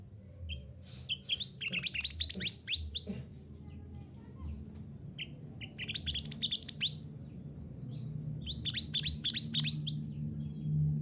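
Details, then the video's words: Training recording of mantenan gunung to get caged birds singing. Three separate bursts of rapid, high, rising twittering notes are divided by short quiet gaps. A low hum runs underneath. "Terapi Suara Mantenan Gunung Agar Cepat Gacor"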